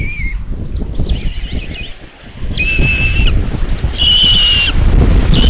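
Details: Nest of common buzzards filmed by a live camera at Tiszalök, Hungary, midday on 27 May 2022, while the mother delivers another chick as lunch. A series of high, drawn-out whistled squeals, some wavering, comes roughly every second against rumbling wind.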